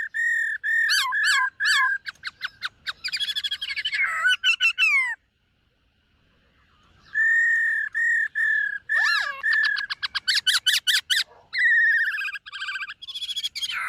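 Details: White-cheeked laughingthrush singing and displaying during morning voice training: rapid runs of loud whistled notes and short trills, a pause of about two seconds, then more fast whistled bursts and sliding phrases.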